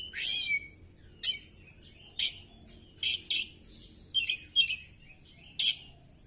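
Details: Oriental magpie-robin singing during a fighting display with its tail spread: short, loud, bright bursts of high chirpy notes, each about a third of a second, repeated roughly once a second with brief quiet gaps between.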